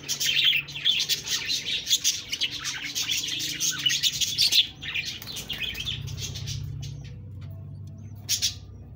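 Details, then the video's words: Budgerigar chatter, loud and busy for the first half with overlapping scratchy chirps and warbles, then breaking off into near quiet with a low hum and a brief final burst of twittering. "Budgies Birds talking sound Birds chirping sounds"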